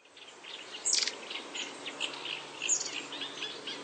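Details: Long-tailed tit (Aegithalos caudatus), call.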